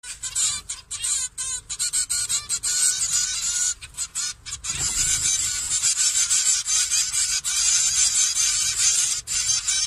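Zebra finches chatter in a dense flock: high, nasal, toy-trumpet beeps tumbling over one another about twice a second, with no pause in the chorus.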